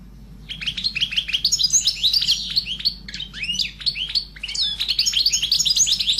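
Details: A pet sparrow chatters in a dense, rapid run of high, bright chirps, several notes a second with brief pauses, overlapping as if from more than one bird.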